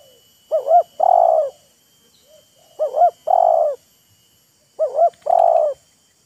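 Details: Spotted dove in a calling duel between a wild bird and a decoy, each showing off and luring the other. Three full phrases, a double note and a sustained coo, roughly every two seconds.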